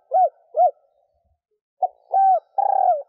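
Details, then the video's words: Female spotted dove cooing to stimulate males: two short rising-falling hoots, a pause, then a clipped note, a longer coo and a final drawn-out, slightly trilled coo. Clean recording with no other sounds. "Tiếng Cu mái gáy hay kích trống mới nhất"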